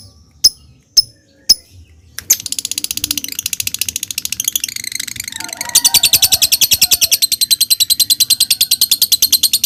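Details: A lovebird goes from ngetik to ngekek, a sequence used as a lure to make lovebirds sing. Three sharp, spaced ticks come first, then a long, fast chattering trill that grows louder and denser.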